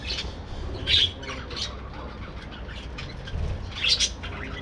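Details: Morning activity in a budgerigar breeding colony in an aviary: scattered sharp chirps and squawks, with two louder bursts near the start and end, over a steady low hum.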